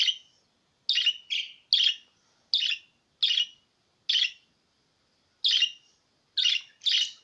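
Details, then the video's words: Budgerigar sound meant to prompt pet budgerigars to sing: short chirpy notes in separate bursts, roughly one a second at uneven gaps, each a quick scratchy chirp. "Muhabbet kuşunuzu kesin öttürecek muhabbet kuşu sesi"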